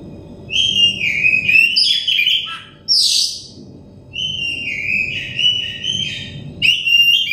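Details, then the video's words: Oriental magpie-robin song used as therapy for a stressed bird to get it singing: repeated rich whistled phrases with slurred, wavering notes and a sharp harsh burst between them, steady low hum beneath. "terepi kacer bahan kacer setres kacer daon cepat gacor ngeplong"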